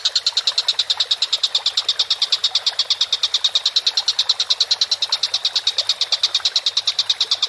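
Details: Collared kingfisher on a masteran training recording, a long, steady series of sharp, clipped notes repeated about three times a second without pause over a faint low hum.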